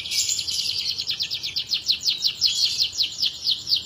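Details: Canary in full song: a steady rapid trill of bright repeated notes, about four per second in rhythmic pulses, high-pitched and even throughout, with faint background hiss.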